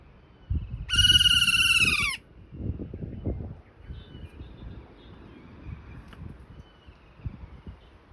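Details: Kea, an endangered mountain parrot of New Zealand, gives one loud, harsh, drawn-out screech lasting about a second, slightly falling at the end, then quiet outdoor rustling and low thumps.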